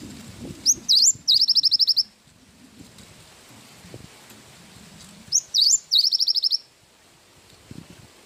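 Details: Cinereous tit singing in the isian wingko style for songbird training: two bursts, each a couple of high upswept whistles followed by a quick rattling trill, with faint low background noise between them.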